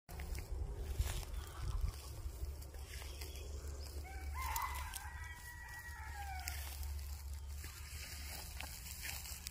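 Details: White rooster crowing: one drawn-out harmonic crow rising then sliding lower over about three seconds midway through, over a heavy low rumble of wind or traffic and scattered clicks.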